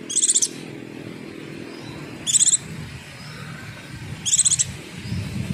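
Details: Javan white-eye call used as a lure so other white-eyes answer: three short, rapid, high buzzy trill bursts, about two seconds apart, over a low rumbling background like a passing engine.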